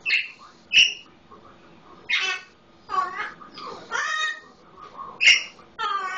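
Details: Pet Solomon Islands Eclectus parrot talking and imitating a household red-lored amazon: harsh, harmonic squawks and rising nasal calls, with short bright yelps near one and five seconds, separated by brief pauses indoors.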